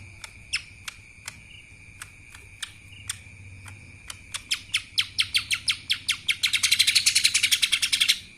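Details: Kapas tembak style song from a lesser green leafbird, opening with spaced single chips about every half second that speed up into a dense, rapid, rattling burst near the end, with a constant thin tone behind.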